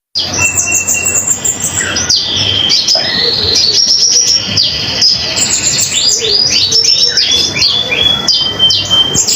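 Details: Common iora singing energetically, a recording meant to tutor other songbirds such as magpie robins, shamas and green leafbirds; a busy run of high chirps, buzzy slurs and thin whistled notes, with a steady low hum beneath.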